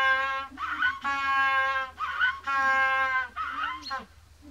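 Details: An adult African penguin from a captive colony gives loud, braying, donkey-like notes: four long, rich honks, each under a second, with brief wheezing breaths between, a contact call or display song used in social recognition.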